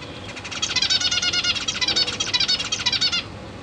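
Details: Caged zebra finch newborns with three juveniles, being fed by both parents, September 2023: after half a second of quiet, a rapid, steady stream of harsh, buzzy notes repeats about twice per second, ending abruptly.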